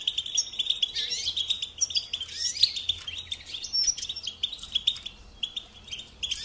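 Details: European goldfinch song used to teach young birds to sing: high, rapid chirping and bubbling trills, a few bright squeaky whistles in the middle, fading slightly toward the end.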